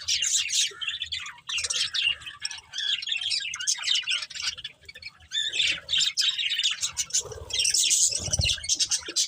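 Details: Colourful budgerigars, a breeding pair among a family, twitter continuously with fast, scratchy high chirps and squawks, with a low thump near the end.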